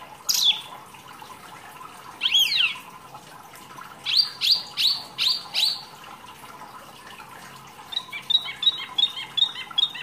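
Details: Masteran training song of the wambi, a rarely kept songbird: a piercing downslur, a twisting whistle, five rhythmic high notes, then a rapid stuttering series of short chips.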